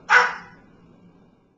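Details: Pet cockatoo barking like a dog, acting as a watchdog; a single sharp, hoarse bark that fades quickly, followed by quiet background hum.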